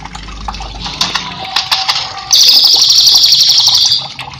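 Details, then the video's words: Cililin song meant as a master recording for training cage birds: scattered sharp chirps first, then a loud, rapid, buzzy high trill lasting about one and a half seconds, with flowing water behind. "cililin gacor cocok untuk masteran"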